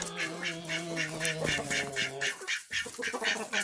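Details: Mixed barn flock of chickens, including hens and roosters of several breeds, recorded 10 September 2023, calling in quick clucking bursts, about four a second, over a steady low hum that drops out partway through.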